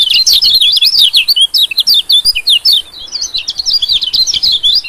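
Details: White-eye lure call for pulling in small birds: continuous bright, fast twittering of sharp, zigzagging high notes in two long phrases with a short dip between.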